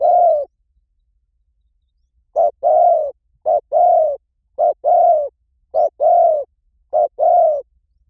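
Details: Lure recording of a spotted dove. One long coo comes first, then after a pause paired notes, a brief hoot followed by a drawn-out falling coo, repeated four times at an even pace.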